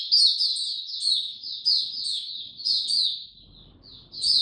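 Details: Oriental white-eye singing in a relaxed manner: clear high twitters repeated roughly every half second, with a short pause before a final chirp.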